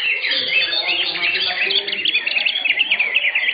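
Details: Contest-class greater green leafbirds singing at an Indonesian songbird competition, 10 September 2023: bright, continuous warbling of quick chirps and twittered slurs, several birds overlapping densely, a low murmur of people in the background.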